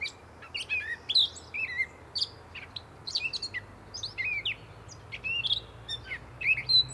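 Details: Gray catbird singing: a steady run of short, varied squeaky and chattering phrases, some rising and some falling, with brief gaps between notes and a faint low rumble beneath.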